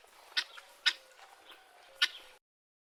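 Guineafowl giving three harsh, scratchy squawks, each a sharp burst spaced about half a second to a second apart.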